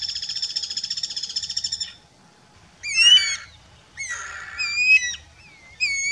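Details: A flock of guira cuckoos on a trail near a reserve in Uberlândia, Minas Gerais, Brazil, in a confrontation with woodpeckers: a harsh pulsing rattle, then loud, slurred piping whistles.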